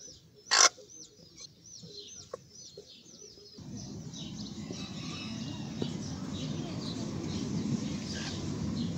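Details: Sebright chicken chicks peeping: a quick run of thin, high, hook-shaped peeps for about three seconds. A loud click comes early, then a steady broadband rushing noise rises and buries the calls.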